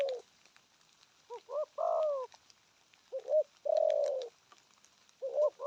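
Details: Spotted dove repeating its phrase: two short, quick, rising notes, then a long, steady, gently descending coo. Three phrases are heard in under six seconds against a quiet background.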